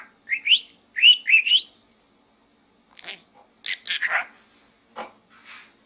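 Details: Pet budgerigar in a small gourd giving a quick series of rising whistled chirps, then softer scratchy chatter and faint ticks after a pause.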